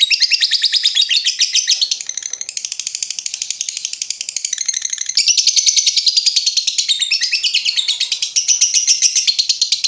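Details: Lovebird with long trilling 'ngetik ngekek panjang' song used as a master recording for training other birds; dense rapid high-pitched chattering trills run continuously in overlapping bursts throughout.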